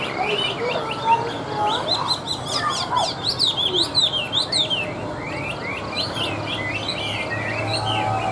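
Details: Tame caged Chinese hwamei, hand-carried and singing on a table: a lively run of varied whistled phrases, sharply rising and falling slurs packed closely together, with a soft rumbling background.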